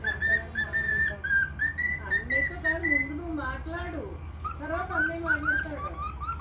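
A cockatiel whistles a chirpy tune and mixes in rough bark-like notes copied from a dog.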